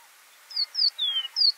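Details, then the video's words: Golden-breasted bunting calling in a quiet setting: two bright high chirps, a drawn-out descending whistle, then another chirp, clean and brief. "Golden-breasted Bunting (Emberiza flaviventris) Bird Call"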